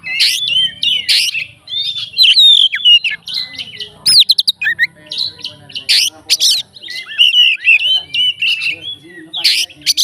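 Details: Fighter Oriental magpie-robin singing to provoke rival magpie-robins: dense, loud, varied warbling with sharp chips, buzzy bursts and quick slurred whistles, delivered in near-continuous bursts.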